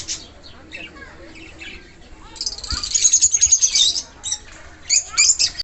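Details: Young cockatiels fresh from the nest, making their first flight: soft scattered chirps, then a dense run of shrill, rapid, harsh squawks, followed by another short high burst, with faint voices in the background.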